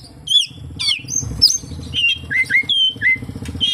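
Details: Oriental magpie-robin song full of kapas tembak imitations: sweet whistled slurs and short rising notes at an unhurried pace, with a low hum in the background.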